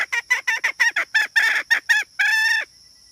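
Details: A hen gives a run of short, clipped, nasal notes at an uneven pace, then ends on one longer drawn-out note before falling quiet.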